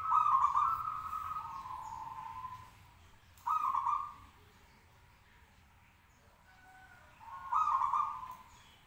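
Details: Local zebra dove singing to make other birds answer, alternating loud rapid pulsed coos with softer trailing purrs in phrases about four seconds apart.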